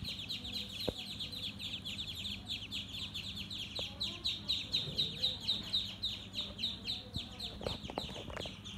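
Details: Baby ducks on a farm: dense, continuous high peeping from many ducklings, rapid overlapping cheeps about four per second, with a few low clicks and knocks in the background.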